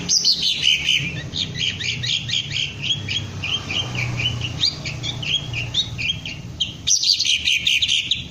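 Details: Green leafbird being trained to lift its crest and deliver ngentrok song, pouring out a continuous stream of high, warbled and slurred notes with quick chips, over a low background hum.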